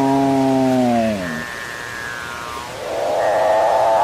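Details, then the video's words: Capuchinbirds, excited and mooing at each other and at the recordist: a deep, cow-like moan with rich harmonics that slides downward, then a higher, steady drawn-out tone and a rising, swelling moan at the end. "Capuchin Birds Sing"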